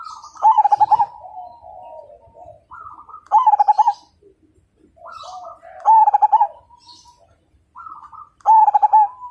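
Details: Zebra dove of the Majapahit perkutut type, praised as a strong singer that gets other birds singing, sings four rapid throbbing coo phrases in steady succession. Softer trills link the phrases.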